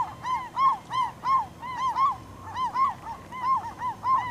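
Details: Loud Glaucous-winged gull calls from Campbell River, British Columbia, April 2007, recorded as a gull forced down a starfish: strong, rich, downcurved yelps delivered in quick pulsing series, closely stacked and nearly continuous.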